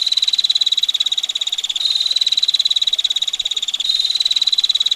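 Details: Female bar-winged prinia singing in the gacor 'ngetir' style: a tight, sharp, harsh rapid rattling trill held for the full five seconds, with slight shifts in tone near two and four seconds, used as a tutor recording.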